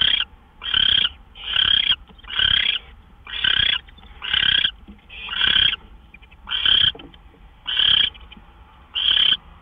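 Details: Owl at the nest on March 26, 2013, around 12:10 AM, with gopher prey delivered; ten rasping screeches in steady succession, roughly one every second, over a quiet background.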